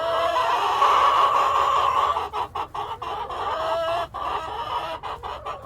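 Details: Chickens, cockerel and hens, call in a steady rolling cackle at first, then shift to clipped clucks spaced irregularly, some notes sharp and brief, others drawn out.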